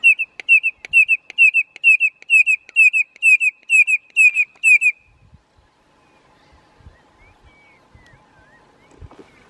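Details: Red-crested korhaan (Lophotis ruficrista) in Kruger National Park giving a steady series of sharp, piping whistles, about two per second for five seconds, then quiet with faint distant birds.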